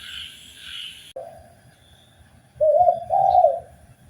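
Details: Spotted dove played as a master recording for training caged birds, giving two low, mellow coos late in the clip after a brief higher, hissy sound at the start.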